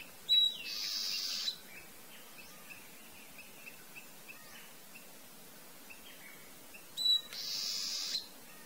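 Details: Ochre-rumped Antbird singing as it forages: two songs about six seconds apart, each a brief thin whistle followed by a long, raspy, buzzing burst, with soft ticking notes scattered in between.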